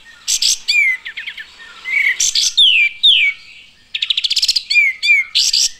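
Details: Lively chirping of olive-winged bulbuls: harsh bursts, sweeping falling whistles and a quick even rattle, the birds calling back and forth close by.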